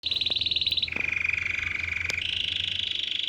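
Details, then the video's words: Canary singing, said to attract dozens of canaries, goldfinches and other wild birds; fast pulsed trills in three runs, first high, then a lower rolling trill, then a higher trill again, with no pause between them. "شاهد تغريد كناري رائع جذب عشرات طيور ألكناري وألحسون وأنواع بريه مختلفه"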